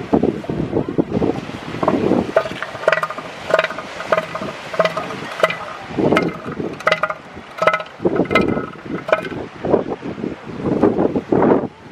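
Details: Mechanical clanking and clinking with brief ringing tones over a rumbling background; no animal voice can be picked out.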